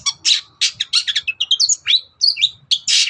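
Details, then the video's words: Cendet, or long-tailed shrike, singing in the morning to provoke replies from other birds: scratchy chatters followed by bright rising and falling whistled slurs, ending in a harsh buzzy burst. "SENSASI CENDET GACOR PAGI HARI BIKIN BURUNG APAPUN EMOSI NYAUT BUNYI"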